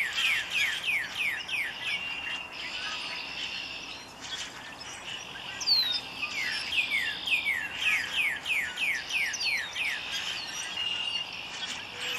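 Northern cardinal singing rapid runs of clear, downslurred whistles, several per second, in phrases separated by short pauses, over a steady background hiss.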